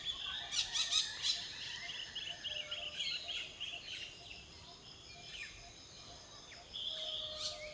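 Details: A Malabar (Blue-winged) parakeet, endemic to the Western Ghats of southern India, gives a quick burst of three harsh, shrill screeches, then one more near the end, over a steady chatter of high chirps and twitters.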